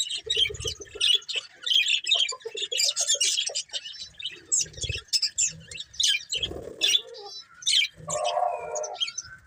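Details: Several budgerigars, described as happy, chirping: dense, fast, scratchy warbling and high twittering chirps in uneven bursts, with a few soft lower squawks and brief wing-like thumps between phrases.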